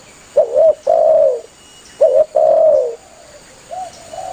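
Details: Spotted dove in full voice calling its companions, played to lure doves for hunting: low hollow coos, each phrase a short doubled note then a longer slurred coo, phrase given twice, softer coo notes trailing at the end.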